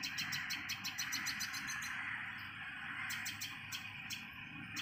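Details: Common tailorbird chick being fed by its mother; quick run of high chirps, several per second, a short lull, then another burst, with constant low rumble beneath.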